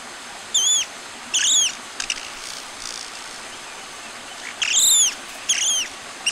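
Long-tailed Broadbill giving shrill, high, arched whistles in quick bursts of two or three, repeated every second or so over a faint hiss.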